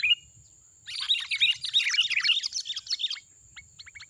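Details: Wild sooty-headed bulbul lured for trapping: one clear note, a short pause, then two seconds of rapid jumbled chirps and warbles, with a few quieter notes trailing off.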